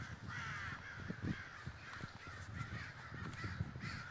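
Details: Crows gathering in a flock at Davis, California, their overlapping caws merging into a steady, dense chorus with a low rumble of background noise underneath.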